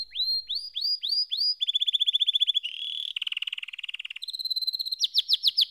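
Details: Canary singing in quick succession: looping upswept notes, then a dense even roll, a buzzy rattling tour, a steady high trill and a final sharp chattering phrase.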